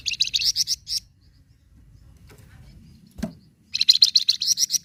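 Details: Flamboyan bird, recording used to stimulate captive birds to sing: two bursts of rapid, high, scratchy chattering notes, about a second each, separated by a quiet pause with a single soft click.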